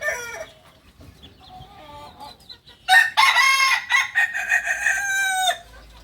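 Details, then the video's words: Kukuak balenggek rooster from Solok in West Sumatra: soft clucking notes lead into a loud, sustained crow of fast broken syllables lasting nearly three seconds, ending on a falling tone. "Ayam kukuak balenggek ayam penyanyi dari solok sumbar"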